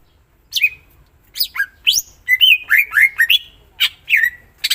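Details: Greater green leafbird delivering a continuous string of loud slurred whistles, some rising and some falling, mixed with buzzy twangy notes in a lively, varied phrase.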